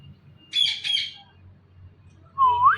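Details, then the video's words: Indian ringneck parrot gives a loud, harsh double squawk, then after a pause a single clear whistled note that dips and rises. Low hum sits in the background. "Ringneck Parrot Sounds Mithu Mithu"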